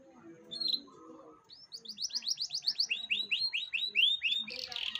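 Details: Canary lure song meant to get a young canary singing: a rapid run of about fifteen bright up-slurred whistled notes, each sweeping sharply upward, ending in a brief buzzy burst, after a short chirp and faint background murmur.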